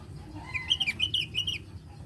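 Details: Lively Javan grey-throated white-eye song, kept to get other birds singing: a fast string of clear, high whistled notes with short slurred twists, lasting about a second, against a low background rumble.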